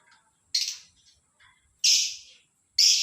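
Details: A lovebird heard in the morning with three loud, rasping high squeaks separated by brief quiet gaps and faint soft chips.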